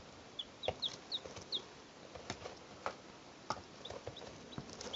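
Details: Three two-day-old chicks recorded in 2012 give short, high, downward-sliding peeps, about a dozen scattered irregularly over five seconds, some in quick pairs, amid soft tapping and clicking sounds.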